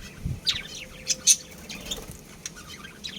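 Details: Pet budgerigars from a breeding pair chirping, with quick high twittering notes and short sweeping chirps scattered irregularly throughout, about one every second, over faint low background hum.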